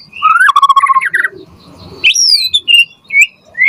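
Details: Vigorous white-rumped shama song used to coax other birds into replying: a bright rising whistle dropping into a level fluttering trill, a brief pause, then clear high slurred whistles and short sweet notes.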